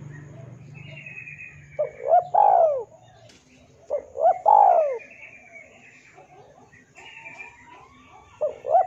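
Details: Spotted dove singing vigorously, recorded as tutor and lure material for captive birds: two cooing phrases, each of short hoarse notes leading into a long, falling, throaty coo, with faint chirps of other birds between.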